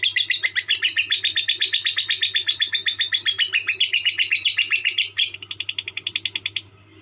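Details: Konslet song from a lovebird: a relentless machine-gun chatter of shrill, buzzy notes that gradually falls in pitch, then switches to a quicker, thinner clicking burst before stopping abruptly; low hum in the background.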